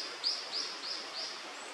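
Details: Crested kingfisher, on 19 May (2024), noticing the observer from a near branch and calling as it flies off upstream, gives four short, harsh, high notes about a third of a second apart over steady background hiss.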